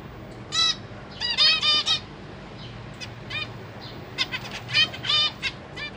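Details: Zebra finches in a cage, parents feeding three juveniles and three new fledglings that recently left the nest, 21 July 2023: loud, nasal, buzzy calls with rich overtones, given singly and in quick clusters of three or four, quiet between.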